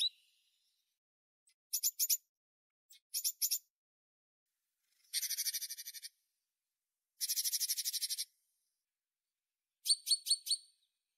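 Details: Tit uttering harsh, buzzy rattling bursts, some short and some lasting about a second, separated by silent gaps of one to two seconds.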